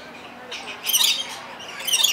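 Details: Lorikeet at San Diego Zoo Safari Park giving two harsh, screechy squawks about a second apart, high and grating, over a faint background hiss.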